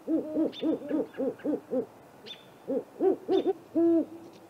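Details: Great horned owl pair at a great gray owl snag nest, April night, recorded by a nest camera: an even train of paired hooting notes, a pause, then louder hoots ending in one long held note, with sparse high whistles.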